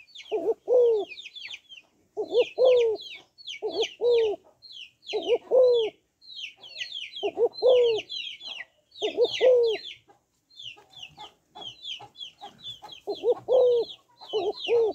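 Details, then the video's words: Female spotted dove calling to stimulate males, with low two-part coo phrases roughly every 1.5 seconds in series, accompanied by a constant busy chatter of high chirping birds. "Tiếng Cu Gáy Giọng Hấp Dẫn ĐỦ BÀI [GÁY GỌI,THÚC,GÙ] Kích Bổi Nhanh Nổi"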